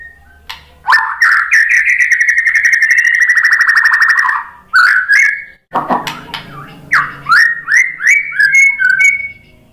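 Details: White-rumped shama singing to set off other shamas: a long fast buzzy trill held steady for about three seconds, brief whistled phrases, then loud rising slurred whistles spaced roughly half a second apart.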